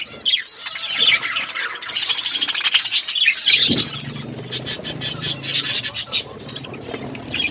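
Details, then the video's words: Feeding budgies chatter in dense squeaky warbles, then switch to rapid pulsed chirps, with a low hum in the background. "Beautiful budgies parakeet eating food birds chirping sounds"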